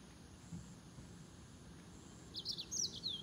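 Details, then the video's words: Green singing finch giving a brief burst of high, thin twittering notes near the end, after a quiet stretch with a steady low background hum. "Green Singing Finch/ Canario de Mozambique"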